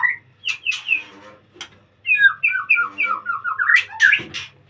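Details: In a breeding cage, a white-rumped shama sings: a few sharp clicks and whistles, then a lively run of bouncing, rising and falling whistled notes ending in a harsher burst.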